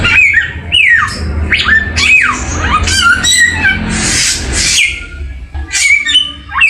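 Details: Samyong bird singing a varied song of loud downslurred whistles and sharp rising notes, with a steady low hum and a burst of broadband noise midway.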